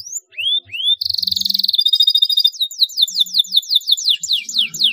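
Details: Canary song used as a lure recording to prompt other canaries to sing: rising whistled slurs, then a fast buzzy trill, then a run of rapid descending whistled sweeps repeated several times per second.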